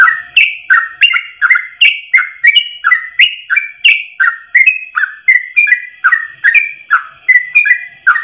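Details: Yellow-vented bulbul delivering a long ropel song in one breath, recorded to tutor caged birds: quick bright whistled notes in a rolling up-and-down pattern, each with a clicking onset, close to three per second.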